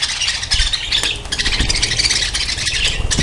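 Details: Budgerigars kept as a breeding colony, loud high squawks and quick scratchy chirps crowding over one another, with brief sharper calls cutting through and some low thumps.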